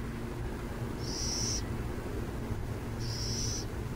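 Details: Burrowing owls near San Jose: two high, hissing screeches, each about half a second long, roughly two seconds apart, over a steady low hum like distant traffic.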